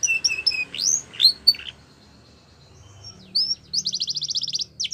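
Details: Yellow canary in the wild, scattered thin whistles and slurred upsweeps, a quiet gap with background hiss, then a short rising note and a fast rattling trill.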